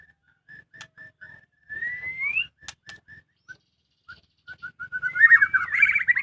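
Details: White-rumped shama kept at home, singing short repeated whistled notes and a long rising slurred whistle, then a dense warbling phrase at the end; soft background clicks and knocks.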